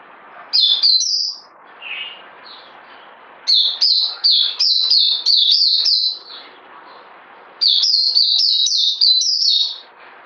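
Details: Bird singing in three bursts of rapid, slurred high whistles, each note dropping in pitch and strung into fast chattering runs, separated by short pauses over a steady soft hiss.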